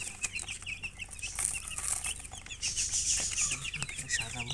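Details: Chicks of the domestic chicken chirping together: rapid, overlapping high peeps, about three per second, with quick upward-flicking notes and a soft background hum.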